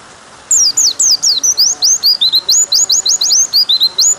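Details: White-eye delivering long 'nembak' song for tutoring other white-eyes: after half a second of quiet, loud sharp whistled notes start, swooping down then rising, repeated several times a second without a break.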